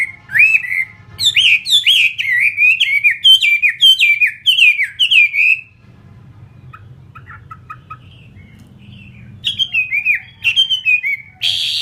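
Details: Captive fighting Chinese hwamei sings fast runs of bright, slurred whistles, pauses with only faint scattered notes and a low hum, then resumes with high rising whistles and a harsh burst.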